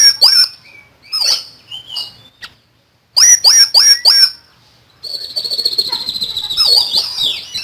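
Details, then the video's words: Common iora pouring out rapid high whistled phrases, four quick loud notes in a row after a brief silence, then a sustained buzzy chattering trill to the end. "BURUNG SIRI SIRI GACOR FULL NEMBAK"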